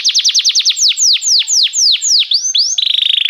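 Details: Belgian canary song with rapid descending whistled notes that slow into longer swooping slurs, finishing in a quick, steady rattling trill.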